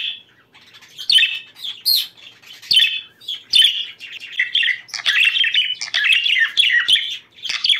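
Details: Budgerigars singing, a recording used to stimulate breeding condition; busy chattering warble of short twittering notes and squeaky chirps in bursts, with brief pauses between phrases.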